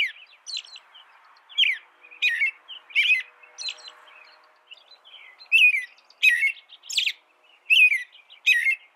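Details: An American robin sings a fast sequence of short whistled phrases, growing louder in the second half, with soft background hiss early on.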